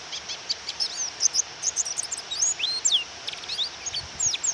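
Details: Female Japanese white-eye calling to provoke a male into singing, with rain: thin, high, rapid chirps and short downslurred notes in quick irregular bursts over a steady hiss of rain.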